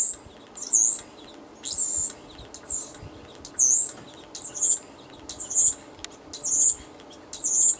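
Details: Wild European starling, a regular visitor, calling on 21 March 2013 while said to be happy: a high, squeaky, wavering whistle repeated about once a second, roughly eight times, over low background hum.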